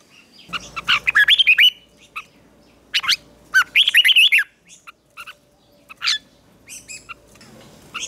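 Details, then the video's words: Red-whiskered bulbul singing in a morning training session for fighting song: short bursts of bright, warbling whistled phrases with quick up-and-down notes, separated by pauses and scattered single chirps. "Luyện chào mào hót sáng | chào mào hót đấu"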